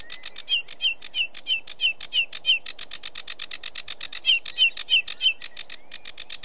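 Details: Sedge warbler giving a lively, rhythmic chattering song, rasping notes repeated rapidly with interjected short whistled phrases in repeated pairs, loud and close.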